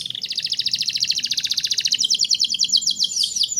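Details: Canary song used as a tutor to stimulate young canaries into full singing: a fast buzzy trill of rapid repeated notes that shifts into slightly lower, separated chirping phrases.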